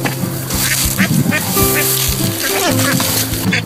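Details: During a rescue of ducklings that fell down a sewer, with the mother duck nearby, a duck quacks in nasal bursts while a person talks close by.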